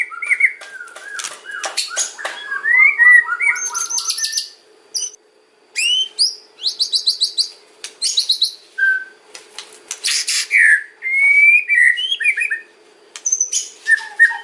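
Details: Extended white-rumped shama song in kretekan and ocean style, used to lure other shamas: varied phrases of clicks, rattles, buzzy trills and fluty whistles repeated in quick bursts with short silences.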